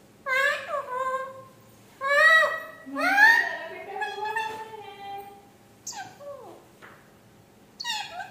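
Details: Mimicking speech, a parrot gives several strong, harmonic, word-like phrases with rising and falling inflections, then fainter sharp downward syllables and a final short outburst.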